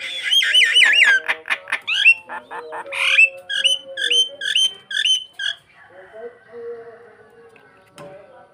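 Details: Starling singing to lure or provoke another bird: a rich, varied medley of harsh squawks and rising harmonic notes, then a run of short repeated chirped phrases, fading into softer, lower buzzy tones.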